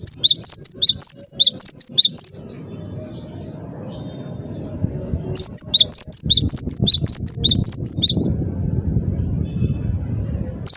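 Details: Gelatik batu, the cinereous tit, singing hard: rapid bouncing high see-saw notes in two long bursts, with a quiet interval of faint rumble between them.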